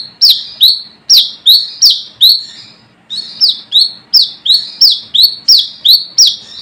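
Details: Wild brown-throated sunbird calling to rivals, a sound used as a lure: high, sharp notes dropping into short whistles, repeated rapidly, a pause near the middle, then a longer, steady run of the same notes.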